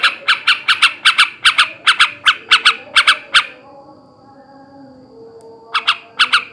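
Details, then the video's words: Male yellow-vented bulbul, known locally as trucukan, in ngebrem ngekek garuda song: a fast run of harsh, nasal chattering notes, then a pause of about two seconds before a short burst resumes. "kicau suara burung trucukan jantan ngebrem ngekek garuda"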